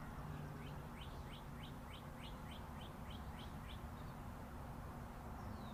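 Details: Wild birds tweeting beside Interstate 40. A rapid series of about a dozen short, high chirps comes at an even pace. Steady highway traffic roars underneath throughout.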